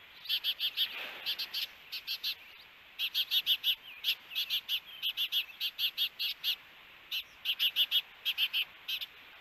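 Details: Wild ospreys at their nest in Hellgate Canyon, Missoula, Montana, during an encounter between the pair on June 21, 2022, recorded by a nest camera: bursts of rapid, high, sharp chirps in quick runs, broken by short pauses.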